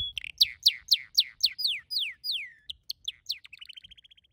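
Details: Singing red canary kept as a pet: a rapid series of downward-sweeping whistled notes, repeated about four per second, lengthening into longer slurs, then short chips and a quick high trill; faint low rumble beneath.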